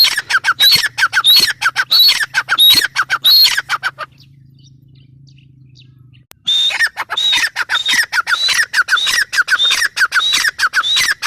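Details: Grey francolin (teetar) calling loudly in rapid, shrill repeated notes with harsh overtones. The burst pauses for about two seconds midway, then resumes just as fast and dense.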